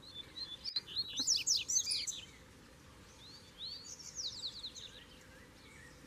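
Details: Double-collared seedeater song: a free-living bird came to challenge a caged one and show who rules. Two bursts of rapid, high, sweeping chirps, the first lasting about two seconds, the second shorter after a pause, over a low steady background hum.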